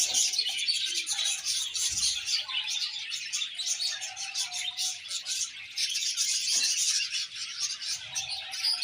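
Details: Happy budgerigar colony chirping, many birds producing rapid, crowded high twitters and squeaky warbles, several sharp chirps a second, with occasional soft whistled notes below.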